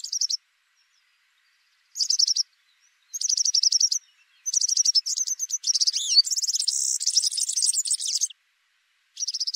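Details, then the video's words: Male Atlantic canary in full song: bursts of rapid high trills that build into a long, dense, unbroken passage of rolling and buzzing phrases, with short pauses between runs. "Вьюрок канареечный. Кенар Канарейка. Голоса птиц"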